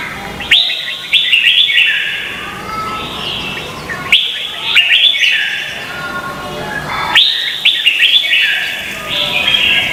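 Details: Red-whiskered bulbul competing in song, Vietnam, a lure recording for bird training: three vigorous phrases, each opening with a sharp upward whistle into rolling bright notes, about three seconds apart.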